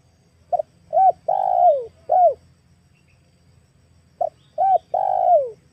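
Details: Spotted dove female calling as a decoy for wild and trained doves, giving soft repeated coos with a drawn-out downward-sliding note in each phrase, two phrases close together over a faint low hum.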